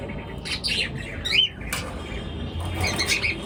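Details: Morning chirping from pet birds: quick, high, scratchy chirps and squeaks in short flurries, one louder rising note near the middle, over a faint low background hum.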